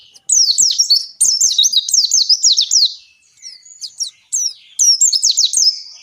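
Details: Oriental white-eye in strong singing form, a 'ngalas panjang' song used as a lure to make captive birds sing; fast chains of shrill, zigzagging twitters pour out, slacken briefly into scattered chips, then resume vigorously.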